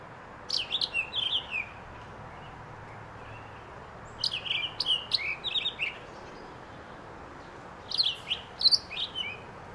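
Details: Townsend's solitaire at White Pines Forest State Park, Ogle County, Illinois, on 20 October 2022: three bursts of quick, high, jumbled chirping notes separated by pauses, over steady background hiss.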